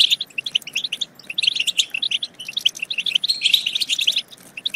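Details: Goldfinch batbata for stimulating other goldfinches to sing and mate: quick, high, liquid twittering with scattered notes, a dense buzzy stretch near the end, and brief gaps between phrases.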